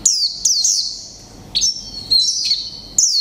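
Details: Brief líu pha chòe trống song of a mộc tinh white-eye caged for one month: a few piercing, sharply downslurred high notes in three quick clusters, clean with little background.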